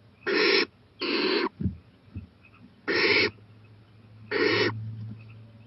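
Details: Owl at 11:26 pm on 4-23-18, daring to go out onto a porch; four breathy, harsh hiss bursts in two pairs, with soft thumps and a low hum in the background.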